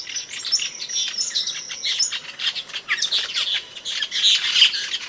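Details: Asian glossy starling, a songbird of Indonesia used to tutor cage birds, chattering with rapid high chirps, whistled notes and harsh squawks in a continuous jumble.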